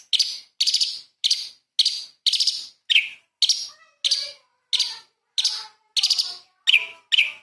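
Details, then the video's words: Tutor song for magpie-robins from a light-vented bulbul (cucak cungkok): a steady series of about fourteen clipped, rattling high phrases with faint lower tones trailing some of them. "CUCAK CUNGKOK SUPER GACOR ! Full Isian TEMBAKAN ISTIMEWA BURUNG KECIL"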